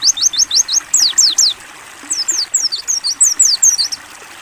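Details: Ngalas-style song of a mountain white-eye for bird training, set over running water: fast runs of sharp, high, downward-slurred whistles, briefly pausing, then resuming in a longer, denser chattering series above the constant gurgle.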